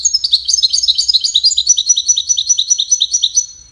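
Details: Goldfinch singing, its song tied to courtship and communication: a fast, continuous twittering of bright high notes, tinkling trills repeated in quick succession for nearly four seconds before fading, with a quiet low hum beneath.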